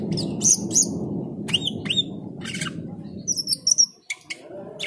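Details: Cucak keling singing while hearing the call to prayer: sharp downslurred whistles and chattering bursts in a quick sequence, with a broad low rumbling background.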